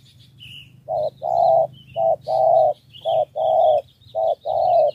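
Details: Decoy spotted dove from Cà Mau in a three-note cooing style: paired mellow coos, a short note then a longer one, repeated four times. Faint thin chirps from other birds sit high in the background.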